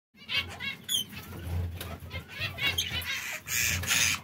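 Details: Brown, red and yellow canaries kept together give short, repeated high chirps with harmonic bands, scattered across the clip amid fluttering wings and a low steady hum.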